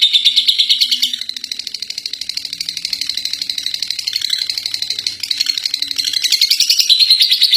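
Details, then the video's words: Contest-winning lovebird in ngekek, a long chattering song: a rapid shrill chatter that dips quieter in the middle, briefly breaks, then swells again and rises slightly toward the end, over a low mechanical hum. "Love Bird Juara 1 ngekek 3 menit"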